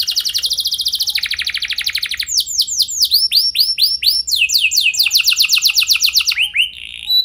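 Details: Singing canary, played as a lure to prompt other canaries: fast rattling trill, then a run of loud upswept whistles, then more rapid trills ending in short rising notes.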